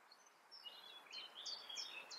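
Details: European robin singing in the Eifel, Germany. A faint, high, thin warble of quick sliding and trilling notes plays against a steady hiss of background noise.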